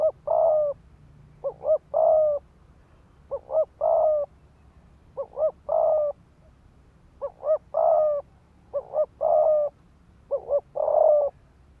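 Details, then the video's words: Decoy spotted dove giving fast 'thúc gù' cooing meant to provoke males to fight: about seven phrases of two quick short coos and a longer drawn-out coo, low and mellow, repeating every one to two seconds over faint background hum. "Tiếng chim cu gáy mồi đất Thúc Gù kích bổi máu chiến"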